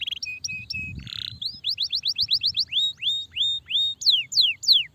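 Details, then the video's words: Kenari starblue canary singing for song training: flat short whistles, a brief buzzy burst, then quick rising slurred notes and loud falling whistles, with low rumbling noise early on. "kenari starblue gacor durasi panjang"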